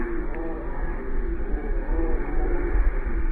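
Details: Only a dense low rumble and muffled, music-like background noise are heard, with no animal calls.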